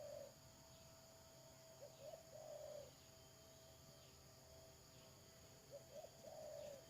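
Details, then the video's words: Spotted dove calling as a lure in dove trapping, 31 May 2022. Two faint phrases of short low coos, each ending in a drawn-out coo, set against noticeable hiss and background hum. "Pikat Tekukur"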